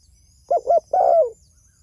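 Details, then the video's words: One cooing phrase from a spotted dove calling to others: two short quick coos, then a longer, smooth coo that trails downward, with faint high bird notes behind. "Suara Burung Tekukur Gacor Memanggil Temanya"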